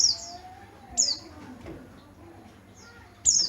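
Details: Yellow-breasted Oriental white-eye from Garut, Java, described as having a crystal-clear, loud voice. Three very high, sharp, downslurred chirps sound near the start, after one second and at the end, separated by quiet gaps.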